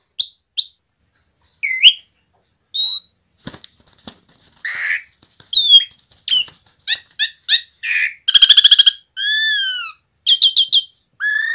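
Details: Asian pied starling singing freely, song used to lure other starlings into singing: a varied sequence of whistles, slurred notes, harsh rasping bursts and a loud rattle, with some clicking and fluttering between phrases.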